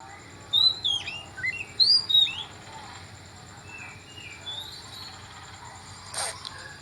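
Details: Oriental magpie-robin singing in the morning: a burst of clear, high whistled notes, some sliding up or down, clustered in the first two seconds, then softer scattered whistles over a steady background hiss.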